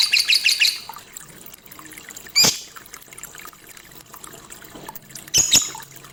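A lovebird gives a quick run of shrill, high chirps, then harsh bursts of squeaky noise.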